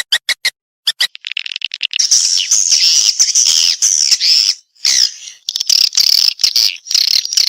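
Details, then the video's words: Swiftlet response call: dense, buzzy twittering chatter high in pitch, rapid overlapping chirps forming a continuous shimmering band after a few sharp opening clicks. "Suara Walet respon"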